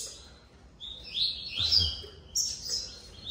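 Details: Captive male blue-black grassquit (tiziu) in a breeding facility, competing with another male for the same single female, which is already incubating two eggs. It gives high, thin buzzy notes, two hissing bursts about a second apart, with a soft low thump between them.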